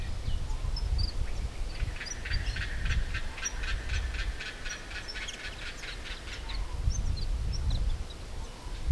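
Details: A juvenile White-plumed Honeyeater (Ptilotula penicillata), not long out of the nest and hidden in a black box tree in the Lindsay Island area of north-west Victoria, begs its parent for food with a fast, insistent run of high chips. Low wind rumble sounds behind.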